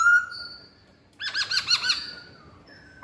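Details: Masked laughingthrush lure song, opening with a steady whistle, then after a short gap a burst of quick wavering chattering notes that trails off, ending with a faint whistle.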